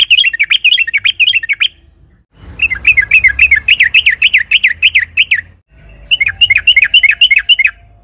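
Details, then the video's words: Sooty-headed bulbul in lively long rapid 'ropel panjang' song, used as a lure to provoke other bulbuls into singing: three bursts of fast, bouncing chattered notes, about four per second, split by short pauses, with faint low background hum. "pancingan TRUCUKAN AGAR BUNYI"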